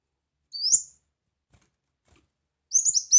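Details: Brown-throated sunbird song recorded for tutoring: one long rising whistle, a pause, then a quick run of high clipped notes.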